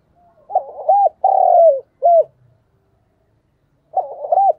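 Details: Spotted dove calling as a trapping decoy, 'thổ' voice. A full soft cooing phrase of a stuttered double note, a long sliding coo and a short upturned ending, then after a pause another stuttered double coo begins. Clean, no other sounds.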